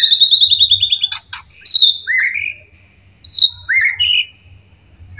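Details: Shama song meant to lure others into singing: a quick descending trill, clicks, then loud rising whistles and high piercing notes repeated in paired phrases over a soft low hum.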